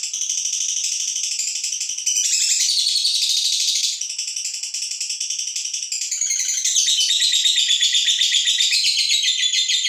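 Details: Female fighter lovebird trilling ngekek to provoke rival birds: long bouts of rapid, shrill chattering, with bursts of louder, denser notes between slightly quieter stretches.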